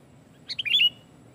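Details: Sooty-headed bulbul in loud, lively song used to lure and provoke other bulbuls, pressing rivals so they sing too. A single short bubbly phrase of quick whistled notes rises and falls in a brief burst over soft background hum.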